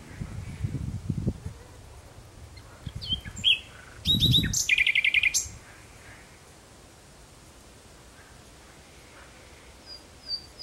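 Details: Common nightingale song at sunset, June 2017: a short burst of rapid, rattling trilled notes in the middle, preceded by low rumbling noise and followed by near silence with a faint high note.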